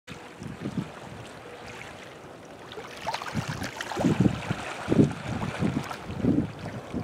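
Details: Coastal ambience by Spring Point Lighthouse in South Portland, Maine: wind rumble and low splashing bursts of water, with no calls heard.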